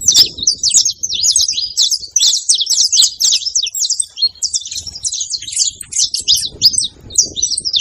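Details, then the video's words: A group of saffron finches, the canário-da-terra, sings in a rural place, a continuous stream of quick, high, squeaky chirps and twitters from several birds overlapping throughout. "os canários da fazendo barulho"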